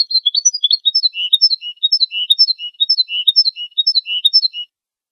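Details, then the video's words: Goldfinch singing in the campero competition style: a short, tinkling phrase of high twittered notes stepping up and down, repeated about once a second throughout, clean and loud against silence. "El Jilguero BiH 20"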